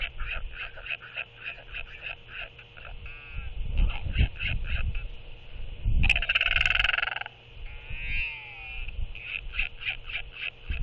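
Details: Royal albatross chick, alone on the nest in the post-guard stage, gives a sky call as its mother returns: a muffled, rapid trill of stacked harmonic pulses, with a burst of broadband wind-like rushing midway.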